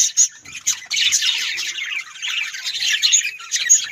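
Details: A group of pet budgerigars calling: a few clipped squawks open, then unbroken scratchy warbling laced with piercing high squeaks.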